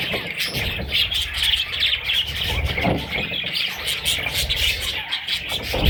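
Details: Baby parrots giving a steady stream of high, thin chirps and squeaks that overlap one another, with a low rumbling background throughout.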